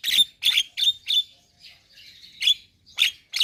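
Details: Javan myna giving harsh buzzy chirps with a bright whistled core, several in quick succession, a softer warbled stretch, then more sharp chirps.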